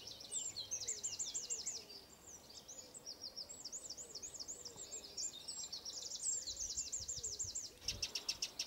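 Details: Eurasian wren singing: a long, rapid run of very high, tinkling trills and rattled notes that continues almost without pause for eight seconds, then ends in a short, dry, buzzy burst.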